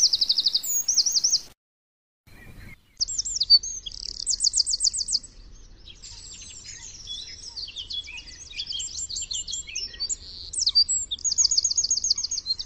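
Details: Eurasian wren recorded in the wild: loud, high, rapid song strung together from repeated chattering trills and thin squeaky notes, with brief gaps early on and a faint low background rumble.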